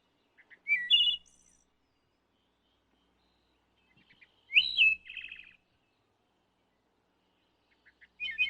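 A wood thrush sings three flute-like phrases about every three and a half seconds. Each opens with soft notes, then a clear ringing part and a rapid trill, against a quiet background.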